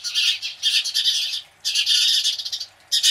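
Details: Several house sparrows screech loudly in alarm at a Cooper's hawk, producing harsh, rasping, overlapping chatter in bursts about a second long, separated by brief pauses.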